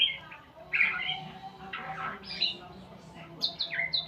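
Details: Shama learning new sounds: loud scratchy bursts and buzzy chatter alternate with brief high whistles, a few phrases spaced roughly a second apart against a low constant hum.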